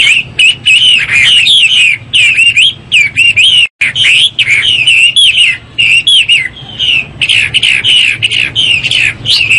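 A Chinese hwamei sings a loud, rich, fast-changing run of whistled phrases, full of slurred rising and falling notes, with only brief pauses.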